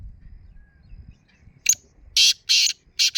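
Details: Black francolin morning call: after near silence, a short click-like note followed by three loud, harsh, rasping bursts in quick succession, each about a quarter second long.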